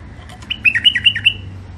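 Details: A wild-caught songbird, caged and offered for sale, from the Mandali crossing in Iraq, delivers a brief clear phrase of about six quick liquid notes dipping and rising, loud and clean over a low hum.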